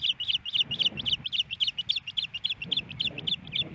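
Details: A female osprey at the Hellgate Canyon nest in Missoula calls quickly and urgently for a fish from her absent mate: fast, paired piercing chirps, with low rumbling underneath, April 28, 2019.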